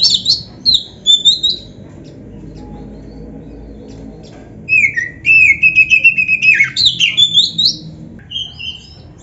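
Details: Oriental magpie-robin song in 'gacor isian' style, used for training and to coax other magpie-robins into replying; scattered sharp whistles, a quiet gap, then a steady string of rapid notes ending in sliding whistles.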